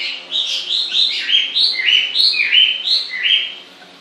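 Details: Continuous bird song of quick, warbling whistled notes that rise and fall, about three each second, running evenly for several seconds before fading.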